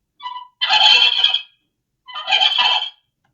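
A turkey gobbles twice, each a loud, rapid, rattling burst of about a second, with a brief higher note before the first.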